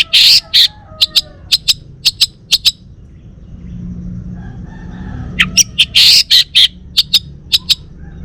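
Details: Male orange-headed thrush of the Bali form, a caged songbird in Singaraja: loud short clicks and chips in irregular bursts, a pause with low rumbling background, then another dense burst of sharp notes.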